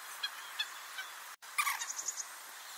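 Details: Common moorhen (Gallinula chloropus) giving a short 'kuurruk' call, recorded with a Nikon D500. Faint soft ticks come first, then an abrupt cut. A brief harsh, buzzy burst follows, trailing into quick dry clicks.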